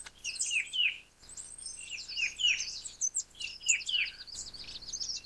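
A Verditer flycatcher sings a fast, high, jangling warble of sweeping and trilled notes in three bursts split by brief pauses; nothing else is heard.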